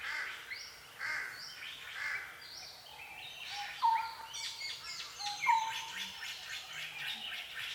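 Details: Mixed forest birdsong from Phusing, Sisaket province, Thailand, with several kinds of birds: busy overlapping high chirps and short trills, plus two louder slurred whistles that drop in pitch.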